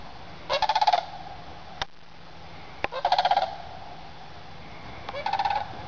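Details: Sandhill cranes passing overhead at sunrise as a group heads from a woodland roost out to feeding fields; three separated rattling, trumpeting bugles, the last fainter, with a couple of sharp clicks between.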